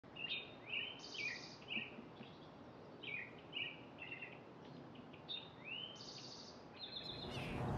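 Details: Arctic tern family of four: short, harsh, buzzy calls with bright ringing overtones, repeated irregularly about twice per second, some rising or falling, over a soft steady background hiss.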